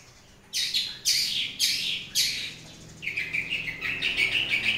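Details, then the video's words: Long-tailed shrike in the morning giving four loud rasping bursts about half a second apart, followed by a continuous twittering, chattering warble. "kicauan cendet dipagi hari"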